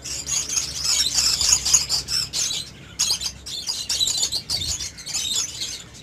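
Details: Pet budgerigars during pairing and mating, producing continuous high, scratchy warbling chatter in dense bursts, with a brief pause near the middle.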